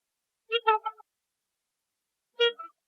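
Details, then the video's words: A small flock of swans resting by the water in Southern Ontario, Canada, preen their bellies, then honk and wiggle their tails. They give nasal, trumpet-like honks, a quick run of three short notes, then a pause and two more. "Swans Rubbing Their Bellies and Making Honking Sounds"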